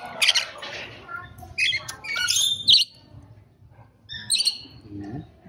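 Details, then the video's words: Rasping, shrill screeches from a rainbow lorikeet, several gritty bursts clustered in the first three seconds, a brief quiet spell, then one more scratchy shriek; low background hum throughout. "Rainbow Lorikeet Bird Sound, Bird Song, Bird Call, Bird Calling Chirps"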